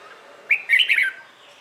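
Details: Red-whiskered bulbul singing its morning competition song: one short, sweet phrase that opens with a sharp upslurred note, followed by a rapid run of warbled whistles.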